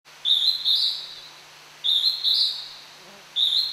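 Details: Hodgson's hawk-cuckoo singing at Tokyo Citizens' Forest, a wild bird heard more than seen: high two-part whistled phrases, the second note rising, repeated about every one and a half seconds over quiet forest background.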